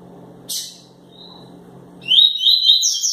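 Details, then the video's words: A double-collared seedeater (coleiro) gives a short buzzy note, then a fast, bright run of high whistled and twittering notes, over a low background hum. "Coleiro quente tuitui"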